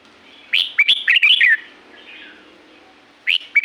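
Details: Red-whiskered bulbul, Pa La-u forest, Thailand: one crisp phrase of five or six quick whistled notes sliding up and down, a soft fading tail, then the next phrase just beginning.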